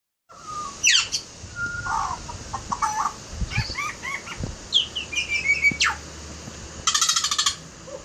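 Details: Butcherbird singing a varied phrase of short whistled and slurred notes, some sliding steeply down, ending with a burst of harsh rapid buzzy notes.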